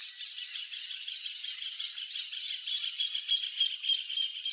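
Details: Crested caracara giving a dry, harsh rattling call: a steady run of rapid scratchy pulses, about three per second, continuing evenly for several seconds with little change in pitch.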